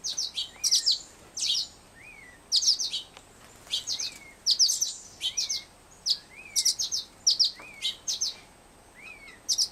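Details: Young Black-headed Grosbeak in care, a fledgling not yet feeding itself, whistling softly to ask for food. Repeated faint wavering whistles run through a steady series of sharp, high, paired and tripled chirps.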